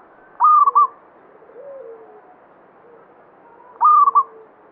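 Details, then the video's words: Local zebra dove of the banyumili type, singing vigorously, a bird believed by myth to draw good fortune; two bright, stuttering cooed phrases near one pitch, about three seconds apart, with soft lower coos between. "Perkutut lokal banyumili suara gacor"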